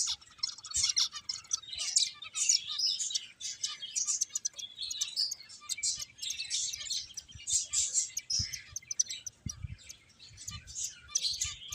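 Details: Many finches chatter at play in a busy stream of very high, thin chirps and rapid twitters, rising and falling in loudness, with an otherwise quiet background.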